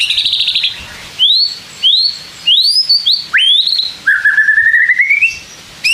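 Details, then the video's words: White-rumped shama singing to provoke other shamas: a fast trill, then a series of clear rising and arching whistles, ending in a long steady whistled note that climbs slightly. "pancing MURAI BATU malas bunyi/bahan paling GAMPANG direspon tanpa takut"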